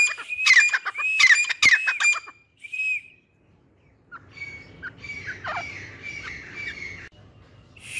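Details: Caged pair of grey francolins (Irani teetar): loud, harsh, rising squawky notes repeated rapidly for about two seconds, one softer call, then fainter scattered notes over low background noise.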